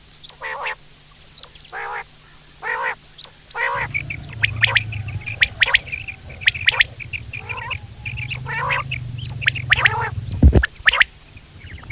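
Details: Quail calling: short, clipped harmonic notes repeated in irregular bursts, several overlapping, some higher and sharper, over a steady low hum that starts partway through, with a loud knock near the end.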